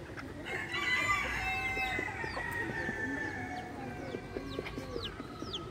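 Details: Roosters, young cockerels, hens and chicks at the livestock area of Parque da Água Branca, São Paulo, Brazil: a steady chorus of low clucking under a long drawn call, with thin high chick peeps scattered throughout.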